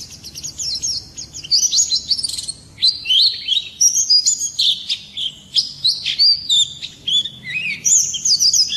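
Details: White-eye song heard in the morning: a long, varied stream of high chirps, trills and down-slurred whistles in irregular bursts, loud and clear with a quiet background.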